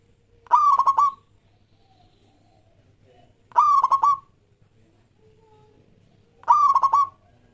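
Zebra Dove giving three short, stuttering bursts of soft, rolling coos, one about every three seconds, over a faint low hum.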